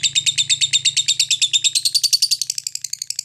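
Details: Ngekek chatter from a lovebird, meant to set other lovebirds singing: a fast, steady run of high, harsh rasping notes, about three per second, that climbs slightly in pitch toward the end.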